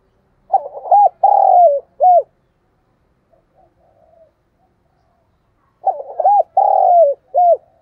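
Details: Cage-kept spotted dove used as a decoy, delivering 'thúc gù' cooing. Each phrase has a few stuttered hooked notes, a sustained falling coo, and a final short arched note. Two phrases are separated by several seconds of near silence.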